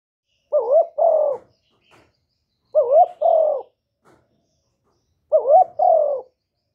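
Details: Spotted dove used as a lure bird, giving paired cooing phrases, a wavering note then a longer falling one, repeated three times at intervals of about two and a half seconds in otherwise quiet surroundings.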